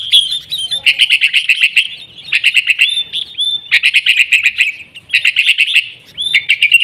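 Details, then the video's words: Sooty-headed bulbul in lively, fighting-style song, played as a lure so caged birds at home start singing: bursts of rapid, chattering notes with short sliding whistles, separated by brief pauses. "kutilang gacor TARUNG buat pancingan kutilang agar bunyi jadikan burung kutilang gacor"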